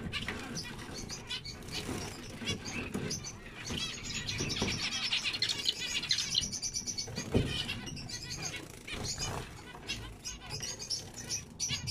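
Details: Zebra finches giving dense, rapid high chirps and short buzzy notes, several birds calling over one another in a continuous busy chatter across the whole stretch.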